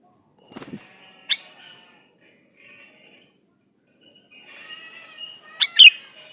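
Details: Male sooty-headed bulbul calling a female, played as a lure to prompt other bulbuls to answer; one sharp bright burst early on, then a louder double-note phrase near the end, with quiet gaps between.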